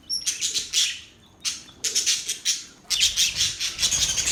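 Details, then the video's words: Happy budgerigars chatter in dense, buzzy, scratchy bursts, each lasting about half a second to a second, separated by short pauses, with a few thin high whistles mixed in. "Budgies Birds Happy sounds | Budgies birds chirping sounds"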